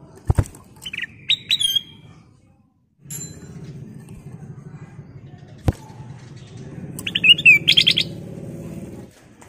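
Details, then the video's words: Golden-coloured bulbul (kutilang emas) lure recording: short, bright whistled phrases in scattered bursts, with sharp clicks and a low background hum. "Pancingan kutilang emas Gacor full isian"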